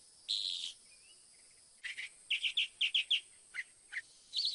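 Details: Varied song of a Northern mockingbird (Mimus polyglottos): a rich buzzy phrase, a pause, then a rapid string of short chirps and slurred notes, ending in a fresh trilled burst.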